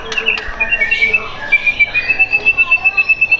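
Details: White-rumped shama kept caged for sale in Tangerang Selatan, Indonesia: a few mixed notes, then one high whistled note repeated evenly about twice a second, crisp and pulsing.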